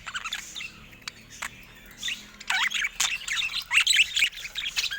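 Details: Budgerigars kept in a cage, near a camera. Soft twitter builds into lively rolling warbles with upward-swept chirps and squeaky notes, punctuated by sharp clicks.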